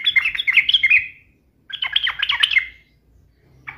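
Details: Agitated yellow-vented bulbul answering a challenging rival, two quick bubbly chattering phrases of warbled notes separated by a short silence, bright and fairly high.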